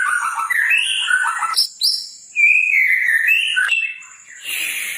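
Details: White-rumped shama singing persistently, used as a lure for other birds: rich, slurred whistled phrases wavering up and down, a couple of sharp high notes, and a brief burst of harsh noise at the end.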